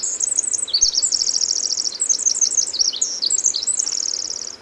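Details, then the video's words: A Pacific Wren (formerly Winter Wren) at the Hoh rainforest visitor center in June 2011 pours out a long, tumbling stream of very high, rapid tinkling trills and buzzy notes without pause, against a soft background hiss. "Pacific Wren"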